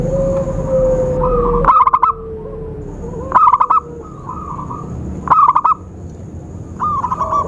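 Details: Zebra dove trapping lure: four bursts of rapid stuttered cooing about every one and a half to two seconds, each a tight cluster of notes, with a faint drawn-out descending tone and low hum behind.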